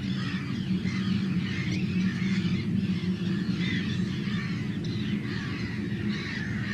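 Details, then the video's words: Many Arctic terns calling together in a big breeding colony on Rottumerplaat, the Netherlands, 4 June 2023: a continuous chorus of grating, squawking calls layered over constant low-pitched wind or sea noise. "Arctic Tern, Sterna paradisaea, Noordse Stern"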